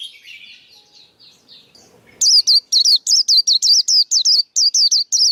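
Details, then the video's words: Quiet, buzzy warbling from a male white-eye builds into a steady string of about twelve loud, sharp, downward-sliding high chirps. The song is used to train young birds and lure others into traps. "KHUYÊN TRỐNG. Tiếng chim khuyên kích bổi, kích trống, luyện giọng bổi, bẫy khuyên"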